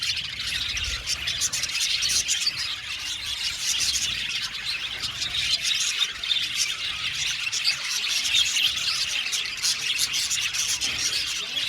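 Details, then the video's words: Colony of budgerigars in an aviary, dense continuous chatter of many birds singing and chirping: overlapping high twittering warbles and squeaky notes, with no pauses throughout. "Parakeet sound | budgies singing and chirping sounds"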